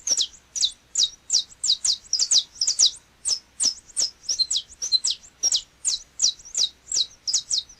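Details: A Brazilian Saffron Finch (canário-da-terra) delivers a lively string of high, sharp chirp notes at a steady quick pace. Nothing else is heard.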